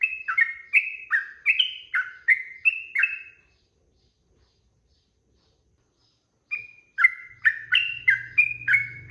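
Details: Sooty-headed bulbul song for training other birds to sing: a fast string of bright, falling, liquid notes, then about three seconds of silence, then another burst of similar notes over a faint low hum.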